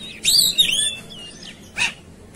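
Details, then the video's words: Oriental magpie-robin, agitated and fighting: a burst of high sliding whistles with buzzy overtones, a short falling note, then a harsh rasping burst near the end. "Segala Kacer Ikut Ngamuk Tarung"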